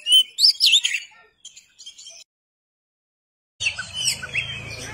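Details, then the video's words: Oriental magpie-robin song in two bursts, quick twisting whistles and chirps, broken by a silent gap, with a low steady hum under the second burst. "MASTERAN BURUNG KACER PALING DI CARI"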